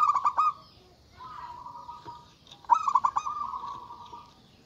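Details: Local zebra dove, loud and actively calling, used to call up rivals: two bursts of rapid stuttering pulsed notes, each drawn into a sustained vibrating warble, with a quiet gap between them.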